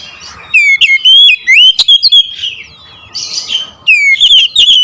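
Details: Oriental magpie-robin (kacer) singing "nembak ngerool": vigorous, bright whistles sliding up and down with sharp ticks, a softer chattering pause, then another loud whistled burst.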